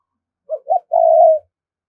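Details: Decoy spotted dove of Đồng Nai, Vietnam, calling to lure wild doves fast: a brief low coo, a second rounded note, then a drawn-out purring croon that fades slightly at its end; nothing else audible.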